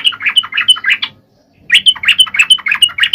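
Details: Yellow-vented bulbul singing 'gacor' style to provoke quiet males: rapid, bright chattering notes that pause for half a second, then come back in a dense, lively run.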